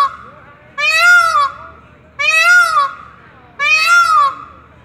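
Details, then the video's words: A pet Indian peafowl peacock, thought to be calling a female, gives three loud, nasal, wailing cries, each under a second long, about a second and a half apart, over a faint background hum. "Peacock calling his girlfriend"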